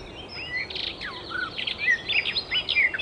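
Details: Wild icterine warbler singing a hurried mix of buzzy notes, falling slurs and sharp chirps, with a steady high hiss of background noise.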